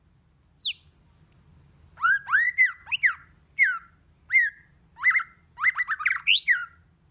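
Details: White-rumped shama song of many voices, meant to excite other shamas: a high descending whistle, then a run of rising, buzzy-edged whistled phrases coming in bursts about once a second.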